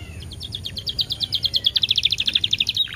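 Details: Canary song played as a lure to set other canaries singing, with 10-second pauses: a fast, even trill of bright chirped notes, about eight per second, rising slightly in pitch and loudness, over a low background hum.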